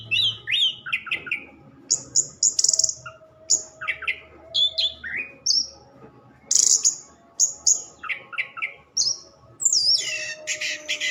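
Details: Orange-headed thrush delivering a varied song of clear high whistles, descending slurred notes and rapid chirps in short bursts roughly every second, with a soft background hum.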